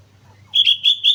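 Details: Single quick phrase from a sooty-headed bulbul on Mount Slamet: three or four bright, liquid whistled notes run together after a moment of near silence.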